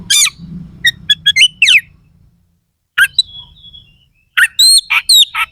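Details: Oriental magpie-robin (kacer) singing coarse, sharp fill-in material used as mental training so rival birds compete harder: rapid clicking and whistled notes over a low rumble, a lone thin whistle, then loud slurred whistles and harsh strokes.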